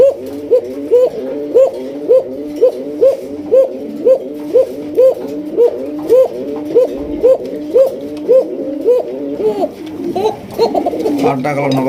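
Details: A large collection of original Basiraj Koka pigeons in a Bangladeshi loft, a breed known for very loud calling; rhythmic rolling coos with upward-sweeping notes repeat about twice per second, then other sounds and a voice briefly join near the end.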